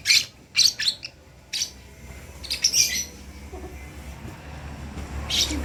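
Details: Baby lovebird learning to call: scattered high, scratchy chirps in short pairs and triplets, separated by quiet stretches with faint background hum.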